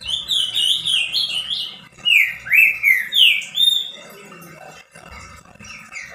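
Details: Pet green-winged saltator singing energetically to excite other saltators: a run of rich whistled slurs in the first four seconds, some rising then dropping, followed by quieter chirping and faint background noise.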